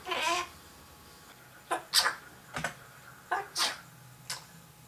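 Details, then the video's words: Pet African grey parrot indoors, imitating household sounds such as sneezes and doors; short breathy bursts and clicks spaced irregularly over a few seconds, with a quiet room hum underneath. "African Grey Chatterbox"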